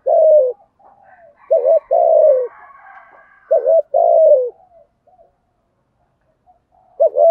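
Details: Spotted dove in quick provoking coo series: low hollow phrases of a double note then a drawn-out descending coo, roughly every two seconds, over faint higher background twittering.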